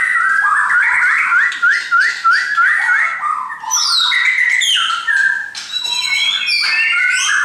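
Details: A group of caged shamas sings: a run of short upslurred whistles repeated about three times a second, then richer phrases with sweeping high notes and fast rattling trills.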